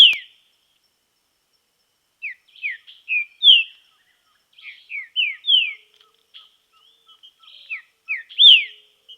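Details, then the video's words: Green-winged saltator in nature, in training: repeated bright whistled notes falling in pitch, grouped in bursts with gaps, over a faint steady ticking. "TRINCA FERRO TREINAMENTO NA NATUREZA"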